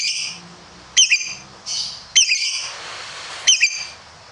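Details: Competition-trained lovebird uttering sharp, squeaky double chirps spaced about a second apart, with softer hissy twitters between them.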